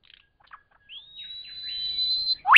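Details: Lyrebird at Cape Liptrap Coastal Park giving a few soft clicks, then a long pure high whistle held steady for over a second, ending in a loud sharp upward-sweeping note.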